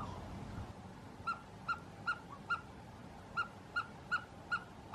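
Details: Himalayan snowcock in the mountains of Gilgit-Baltistan: after a moment of quiet, nine evenly spaced, bright clucking notes follow each other at a little over two per second, with a short pause midway.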